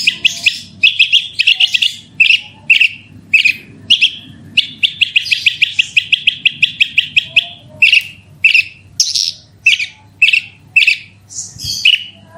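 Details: Horsfield's bush lark delivering a rolling lure song meant to trigger singing: a long, fast, evenly spaced series of short buzzy chirps, speeding into a continuous roll midway, then slower notes.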